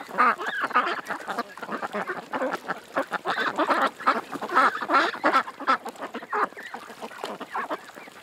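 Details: Ducks at a creek quack in quick, uneven series, about three calls a second, with many birds overlapping.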